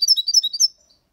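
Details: Six-month-old European goldfinch singing clean in the copia Málaga style: one short, dense phrase of high, liquid twittering notes lasting under a second, then quiet.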